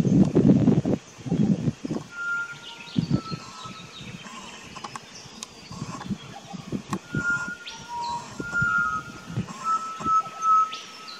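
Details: Pied butcherbird singing in an Australian backyard garden on 19 October 2018, filmed with a Nikon Coolpix P900: pure, flute-like whistled notes held steady at mid pitch, repeated at intervals, with a lower note between, after handling thumps at the start.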